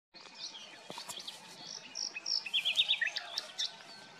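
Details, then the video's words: A common nightingale sings a rich, varied phrase of high chirps, pure whistles and quick trills that builds in loudness, over a light background hiss. "Ruiseñor común (Luscinia megarhynchos)"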